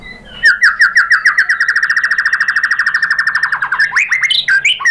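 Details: White-rumped shama, or murai batu, in a lure recording meant to provoke another bird into answering. A fast run of about forty clear, repeated whistled notes, evenly spaced and mid-pitched, ends in rising slurred whistles and higher chips.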